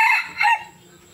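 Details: Young red junglefowl cock in Nam Som, Udon Thani, giving a short clipped crow, the khan tat style: a brief loud harsh burst, then a second rising syllable, trailing off into quiet.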